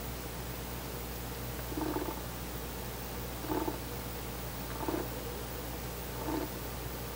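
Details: Male Ural owl visiting its nest before dawn on 4 August 2020, not entering, calling by a window: four soft, low hoots spaced about one and a half seconds apart over a steady low electrical hum.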